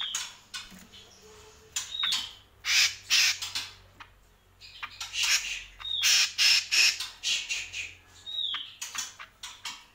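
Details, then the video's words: Greater green leafbird song of quick harsh chattering notes in bursts, interspersed with short downslurred whistles, with a low faint hum beneath. "CUCAK KOMBO GACOR"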